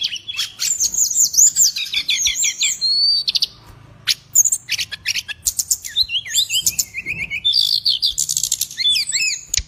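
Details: Cage bird singing loudly: rapid, varied high twittering with trilled, looping whistled phrases and sharp chips, nearly continuous with a short lull midway.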